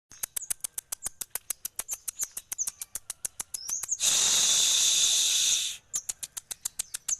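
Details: Crested jay, kept as a songbird, giving a steady series of sharp high ticks about three per second, broken midway by a loud harsh buzzing burst lasting nearly two seconds before the ticking resumes.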